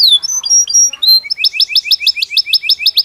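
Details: Belgian canary singing naturally: varied clear whistled notes near the start, then a fast trill of rapidly repeated rising chirps, about three per second or faster, bright and high-pitched.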